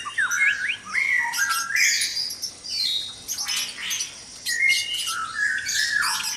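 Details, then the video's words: Noisy dawn chorus of white-rumped shamas kept in a breeding cage. Loud, varied song of whistled upslurs and downslurs, rich warbled phrases and harsh squawky notes that run almost without pause. "Suara murai batu berisik dikandang ternak saat subuh"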